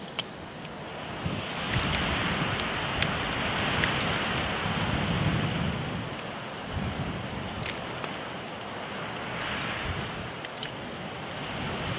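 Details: Steady rain-like hiss fills the recording, with scattered sharp clicks and low rumbling; no animal voice stands out.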